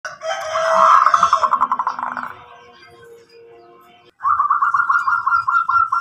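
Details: Local zebra dove singing actively, meant to prompt other doves to answer and sing; a long, rapidly pulsed, mid-pitched cooing phrase, a quieter stretch, then a second purring run of cooing notes, with some music-like background.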